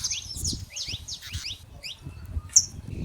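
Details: Saffron finches living free in nature give quick bright chirps in clustered bursts, slurred notes sliding up and down, with one piercing high note late on, over soft low background noise.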